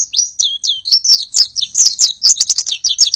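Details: Oriental white-eye in tight, fast song meant as a tutor for other birds: high twittering notes delivered in quick succession, a few sweeping slurs at the start, then a rapid chattering stream.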